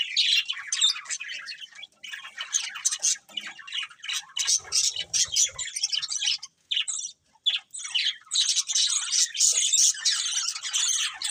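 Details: Budgerigars chirping: dense, continuous high chatter of warbles, squawks and tweets with brief pauses, several birds calling at once.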